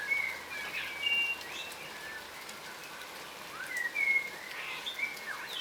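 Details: Yellow rosellas, a crimson rosella subspecies, foraging on the ground in Australia; soft clear whistles and sliding notes come in two brief bursts, at the start and again toward the end, against a constant rain-like hiss.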